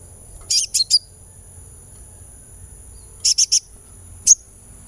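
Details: Sunbird sound for therapy so the bird sings: buzzy high chirp triplets, a second trio after a pause, then one clear single note, with quiet background hum.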